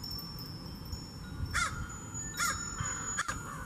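A crow gives three harsh, hoarse caws spaced about a second apart, over faint steady ringing tones like chimes and a low background rumble.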